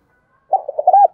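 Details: Spotted dove coo meant to stimulate wild doves to respond: a loud, clear phrase of several quick low hooting notes that run together and end in a longer, slightly rising coo, with nothing else heard.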